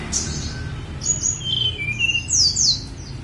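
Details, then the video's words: On Mount Songgo Langit, a snowy-browed flycatcher delivers thin, high whistles and short downward slurs, including a pair of sharp descending notes near the end, over low rumbling background noise. "KICAU TLEDEKAN GUNUNG SONGGO LANGIT"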